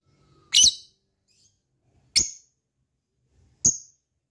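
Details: Lovebird calls meant to provoke other lovebirds into singing: three sharp, high, squeaky chirps spaced about one and a half seconds apart, with silence in between.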